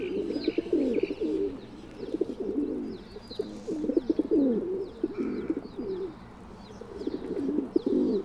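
Feral pigeons give low, throaty, rolling coos in overlapping bursts, with fainter higher chirps from other birds in the background.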